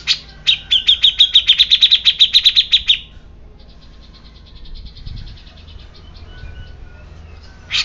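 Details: Grey-cheeked bulbul pouring out a fast, even string of about seventeen clipped, ticking notes in under three seconds. A near-silent gap follows before a final loud, harsh burst.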